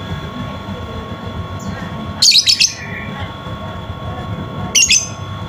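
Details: Lovebird, used as a lure to prompt a silent lovebird to sing: two brief bursts of high, harsh chattering chirps, about three seconds apart, over a steady low hum.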